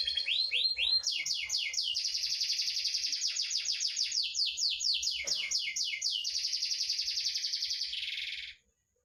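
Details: Canary song used as a tutor recording to help other canaries that rarely sing: a loud continuous stream of rapid high trills and repeated downward-sweeping notes, about nine seconds without pause, ending abruptly.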